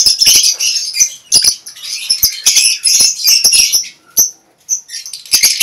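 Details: Lovebirds kept for breeding in a shared colony cage chatter in rapid, high-pitched bursts of squeaky chirps separated by short gaps, with frequent dry clicks and taps in between.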